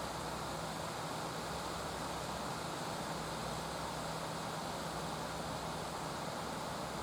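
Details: Constant broadband rushing noise like flowing river water or traffic, with no animal calls heard.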